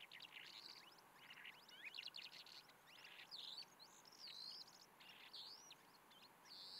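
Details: Calandra Lark song, Alikes Kitrous, Macedonia, Greece, 2018. A fast, unbroken jumble of high chirps, buzzy trills and clear rising whistles over a faint hiss.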